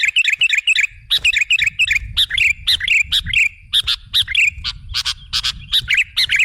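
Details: Lure recording of a kutilang, the sooty-headed bulbul: dense run of chirpy, warbling phrases mixed with crisp clicks, almost continuous, over a faint low rumble.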